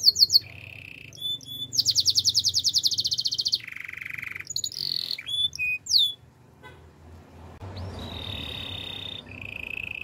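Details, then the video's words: Canary singing its training song: sharp high notes, a pulsing rolled tour, a lower buzzy trill, and scattered whistles, then a gap with background hiss before a flat whistled trill returns. "Canary's training song"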